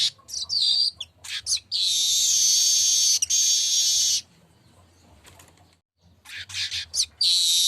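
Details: Streaked weaver (manyar kembang), lively singing: quick rising chirps lead into a long, harsh, sizzling buzz of about two seconds. After a pause come more chirps and a final loud buzzy burst, over a faint low hum.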